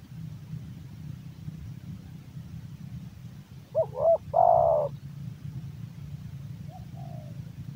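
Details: Male spotted dove, a hobbyist's bird, coos one phrase midway: two short rising hooked notes, then a longer steady purring coo, with a faint trailing coo near the end over a low rumbling background hum.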